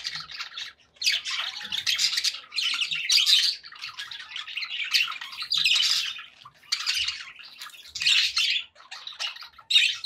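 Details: Contented pet budgies keep up a steady scratchy warbling, loud bursts of gritty chirps alternating with quieter stretches every second or so.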